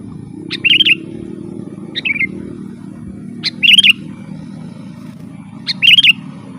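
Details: Sooty-headed bulbul in lively song for luring wild birds and tutoring caged ones: four short whistled phrases, two full warbling ones and two shorter, separated by pauses of one to two seconds, with low rumbling background noise.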